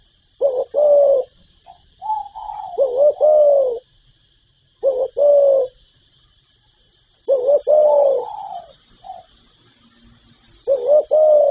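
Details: Spotted dove working through its calling and cooing: repeated double-note-and-long-coo phrases mixed with higher softer coos and short notes, about every three seconds, steady background hiss.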